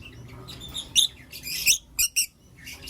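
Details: Blue Opaline and Lutino Opaline lovebirds in the morning, giving scattered shrill, scratchy chirps in short bursts, a few sharp notes close together near the end, over a quiet low hum.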